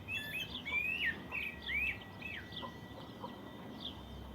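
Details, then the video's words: Countryside bird song at morning, a burst of clear upswept whistles in the first two seconds, followed by faint scattered higher notes. "Cuando vives en el campo aún puedes escuchar el lindo canto de los pájaros por la mañana"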